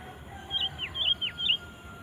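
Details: Chattering sooty-headed bulbul used to draw wild bulbuls into song. Clear whistled notes alternate with quick falling slurs, five notes in about a second. A faint constant high tone runs underneath.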